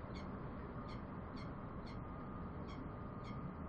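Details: Ringing bellbird notes repeated roughly every half second, six crisp high pings over a continuous low droning background.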